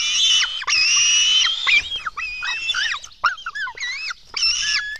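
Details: During a feeding at a Latvian nest at 04:53 on 24 June 2016, black stork nestlings shriek. Two long, piercing screams give way to quicker, choppy, squealing notes, then one more sustained scream.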